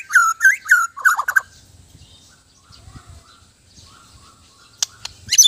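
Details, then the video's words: White-rumped shama (murai batu) giving a brief loud burst of looping whistles and chatter, then quiet with faint soft notes and low knocks, ending with a few sharp high chips. "Indahnya suara dan gaya burung murai batu"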